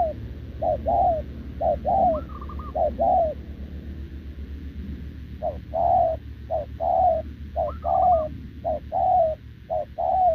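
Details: Spotted dove, a wild-caught short-legged adult, cooing nonstop with a decoy on 6 November 2024; paired coos, a clipped note then a drawn-out descending one, repeated about once a second, a thin higher quavering note twice, low hum beneath.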